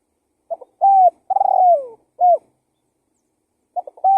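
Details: Spotted dove cooing as a lure call: a stutter, then a level coo, a long vibrating downslurred coo and a short coo. Another phrase begins about one and a half seconds later. Nothing else is audible.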